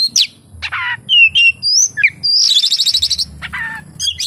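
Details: Oriental magpie-robin mimicking kapas tembak in its song: varied chirps and slurred whistles, then a fast, even, rattling trill of about a dozen notes, with a few scratchy calls after it.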